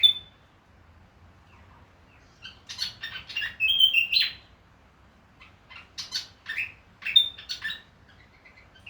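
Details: Willie wagtail in Far North Queensland, Australia, giving a brief whistle, then two bursts of quick, high, chattering chirps a few seconds apart; otherwise quiet background.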